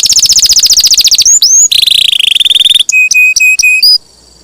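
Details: Champion canary in lively full song, a long-roll tutor recording for training songbirds: a fast high buzzy trill, then a short whistled slur, a lower rapid roll, and five clear level whistled notes before it stops.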